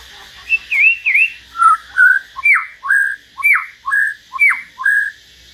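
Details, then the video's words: Common hill myna singing solo in turn with a white-rumped shama: a run of loud, clear whistled phrases, each a slurred rise or fall, repeated about twice per second, with a steady hiss behind. "Chim nhồng và choè lửa hót solo"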